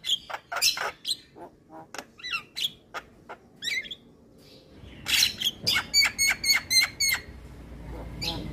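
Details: Male white-eyed Javan myna singing to stimulate lazy mynas into song: a loose series of sharp chirps, squawks and slurred notes, then a quick run of evenly repeated bright metallic notes near the end.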